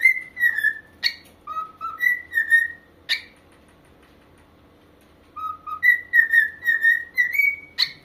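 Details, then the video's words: Corella singing indoors, producing a series of clear whistled phrases, some level and some falling slightly, interspersed with sharp harsh clicks, with a silent pause in the middle before the whistling resumes. "Parrot singing"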